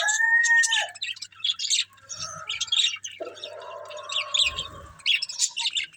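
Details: Pet budgies feeding on green food chatter in a steady stream of high chirps and scratchy warbles, with a clear whistled note at the start and low rustling during eating.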